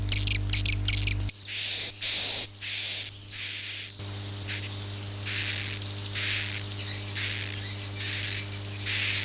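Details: Akau ngaji swiftlet call: a short flurry of clicking chirps, then evenly spaced hissing, buzzy high bursts with a whistled tone, roughly one per second, above a steady hum.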